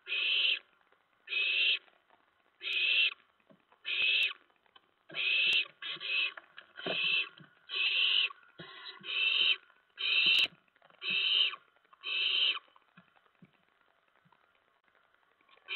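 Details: Owlets pouncing in the nest around 2 AM, 10 September 2017, as adults deliver mice and a rat; a long series of about fourteen harsh hisses, quickening in the middle, with scuffling and clicks.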